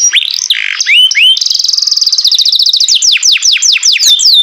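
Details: Green canary with a melodious voice: rapid rolling trill of repeated high notes, preceded by upward-swept whistles and followed by a string of sharp falling slurs, bright and continuous throughout.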